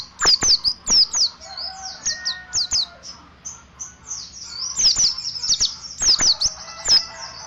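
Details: Mountain white-eye, dakun type from Ciremai, sings a ngeriwik sequence: rapid runs of high, thin, slurred chirps, roughly ninety notes a minute, with quieter lower whistles from other birds beneath.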